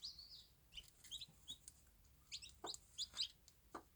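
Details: Bantam chicks with their mother on a small farm, mostly high, slurred cheeping peeps, with a few short low clucks from the hen toward the end.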